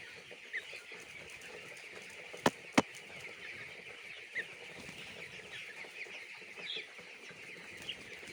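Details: Chicks on a poultry farm: a dense, continuous chorus of high, thin peeps from many birds overlapping without pause, with two sharp knocks near the middle.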